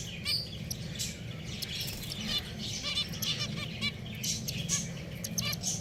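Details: Several pet finches giving quick, high-pitched chirps in irregular bursts, some calls stacked and buzzy, over a steady low rumble of background noise.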